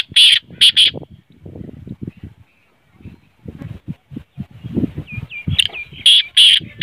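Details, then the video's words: Black francolin giving a call meant to excite other francolins into calling: three rasping notes open the recording, then low rustling and handling noise, and more scratchy call notes return near the end. "kale teetar ko jaldi mast kerne wali awaz|kale tetar mast awaz| تیتر بولائی نہیں کرت یہ آواز سنائیں"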